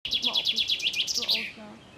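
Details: A chaffinch perched singing on a walk in Caputh sings a quick run of about nine bright, repeated notes ending in a higher, tumbling flourish, all within a second and a half.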